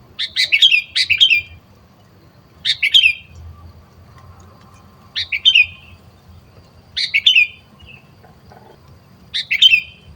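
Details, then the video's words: Sooty-headed bulbul in the wild, forest setting, recorded while trapping birds: short bright chirpy phrases, some doubled, repeated roughly every two seconds against a quiet background. "Mikat burung kutilang"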